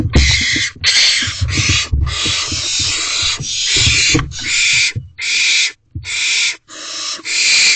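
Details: Adult female barn owl in an owl box on the evening of 5/10/23 at 8:53 p.m., hungry and hissing 'feed me' at the owlet and male to bring food: about nine harsh, breathy, noisy hisses, some with short gaps, over faint low thumps.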